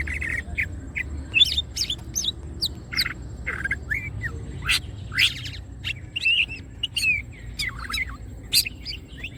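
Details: Greater green leafbird opening its wings and singing gacor, kept as masteran training material: a busy run of sharp chirps, short rising whistles and squawky notes at irregular intervals over a low background hum.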